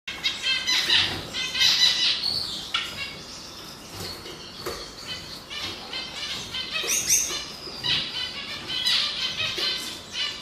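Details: Canary singing, male sex in question: rapid high trills and rolling chirps repeated through the clip, with brief louder bursts and a faint background hiss.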